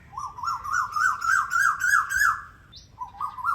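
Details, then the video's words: Asian koel song: a quick run of about nine clear whistled notes near the same pitch, each slurring upward, climbing slightly over two seconds, then a brief high squeak and two more rising notes. "Koel bird singing sounds | different sounds of koel"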